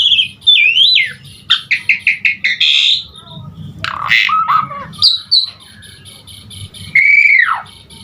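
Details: Asian pied starling singing a full song to encourage starlings to sing: a wavering whistle, a quick run of clipped chirps, harsh buzzy notes, and a final long descending whistle.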